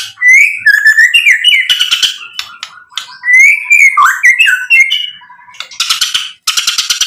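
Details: Actively singing white-rumped shama of the Medan type, used to provoke rivals into answering: rich rising and falling whistled phrases broken by harsh buzzy bursts, a short gap, then more grating rattles.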